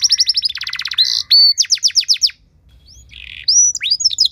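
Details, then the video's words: Canary song used as training material to provoke other canaries into singing: fast trills of downward-sweeping high notes, a buzzy rasping note, then rapid repeated sweeps, with a short quiet gap before rising whistled phrases resume. "Materan Burung Kenari Lagu Istimewa! Cengkok Mewah Bikin Kenari lain Ikut Terpancing jadi Gacor"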